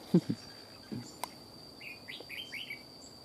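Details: Old wild red-whiskered bulbul with a strong, sharp voice confronting a decoy bird: a few low clicks and knocks at first, then a quick series of short whistled rising-and-falling notes, over a steady high-pitched hum.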